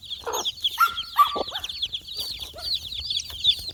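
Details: Chicks four days old foraging for insects on a farm, a busy chorus of rapid high peeps sliding downward, broken by short lower clucks and a couple of louder thin whistled notes.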